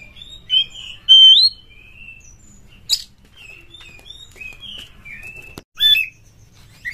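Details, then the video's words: Oriental magpie-robin, a kacer, used as a lure sound to set a bird into mating mood and full song; varied whistled phrases, rising and falling notes with short sharp chips and scratchy bursts. "SUARA PANCINGAN BURUNG KACER"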